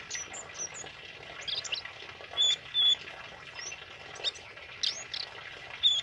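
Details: Tame male kemade in energetic song, recorded for training other birds: brief high whistles and sharp chirps repeated in loose bursts, a couple of flat whistled notes standing out, over soft background noise.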